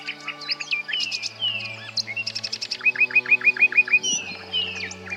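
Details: A male common nightingale (Luscinia megarhynchos) sings a varied, rich phrase of high clicks and whistled sweeps, then a quick run of about seven rising notes, song used to attract females and defend territory; faint low hum underneath.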